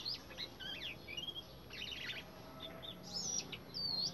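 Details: Garden-singing Indian robin giving clustered high, squeaky twittering notes and brief whistled slurs in quick bursts, ending with a louder, clear, rising-then-falling whistle.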